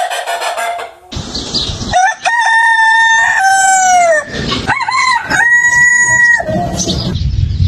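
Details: Roosters on a chicken farm crow one after another: several loud harmonic crows with stepped pitch drops and a wavering middle section, surrounded by clucks and farmyard noise.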